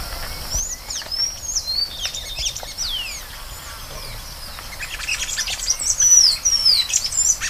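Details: Song of the Golden-chevroned Tanager (Thraupis ornata): many thin, high sibilant chips and slurs in loose, irregular series, with a denser squeaky flourish near the end and a constant high buzz behind.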